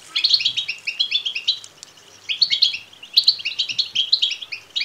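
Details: Begging calls of European goldfinch chicks, used to excite male goldfinches into singing and mating: an almost continuous stream of thin, twittering, high chirps in pulsing waves, background otherwise quiet.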